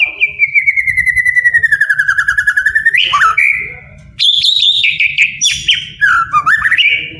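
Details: White-rumped shama song played to get lazy captive birds singing: a long series of clear, slowly falling whistled notes, then a brief pause and rich, warbling, jumping phrases with rasping touches over a soft low rumble.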